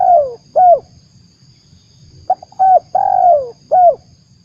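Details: Spotted dove call used as a lure for trapping: soft cooing phrases of short notes and a longer falling coo, repeated in groups, with a faint steady high hum behind.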